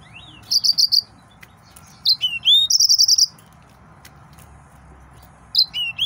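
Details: An excited male yellow-fronted canary gives a short trill, then bright whistles and an upward slur, followed by a longer rapid trill and a final pair of whistled notes.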